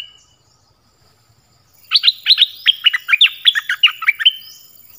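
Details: A Dok Taeng bird's song phrase: after silence, a three-second run of about a dozen quick, clear, descending chirps, evenly spaced, bright and high.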